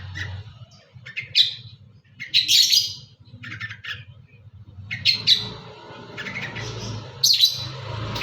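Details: Long-tailed shrike in full song packed with fill-in phrases, giving scattered harsh chirps, grating buzzes and brief squawky notes separated by short pauses, with a constant low rumbling hum beneath.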